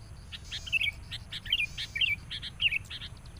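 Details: Sooty-headed bulbul meeting a rival at a decoy trapping site, calling aggressively: brief liquid, twisting notes about every half second, mixed with clipped chirps from another bird and a low rumble.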